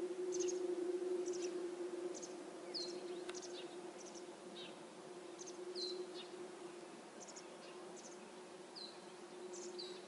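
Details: Masked wagtail fledglings, already out of the nest but not yet feeding themselves, begging for food from their mother as she hunts insects all day; faint, thin, high chirps repeat about four per second over a steady low hum.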